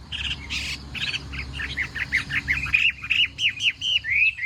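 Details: Chinese hwamei during morning contest singing: a few rough, scratchy bursts, then a quickening series of clear, rising-and-falling whistled notes that grow louder, with a low background hum throughout.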